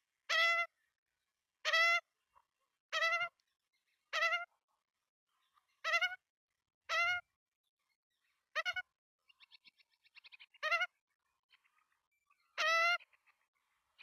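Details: Australian magpie chicks at their Melbourne nest, filmed by nestcam at feeding time on 23 September 2022. A steady series of short, nasal, harmonic begging squeaks comes roughly every second, with a soft twittering flutter midway.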